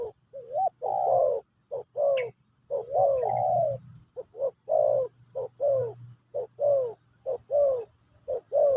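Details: A spotted dove sings Pesom or Kacuk style song as a lesson for a new bird. Dense, rapid coos run nearly continuously, some arching and some drawn out, with a faint steady hum beneath.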